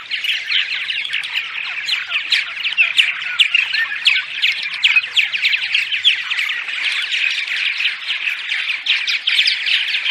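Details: Purple martins giving daytime chatter, used to lure martins to nest houses during migration: dense overlapping chirps, gurgles and squawks from many birds at once, continuous throughout with no pauses.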